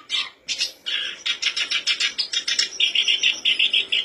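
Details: Black-browed reed warbler song used as a lure to make other birds sing quickly: a fast, scratchy run of chattering notes, about twice a second, high and harsh with some clearer whistled phrases.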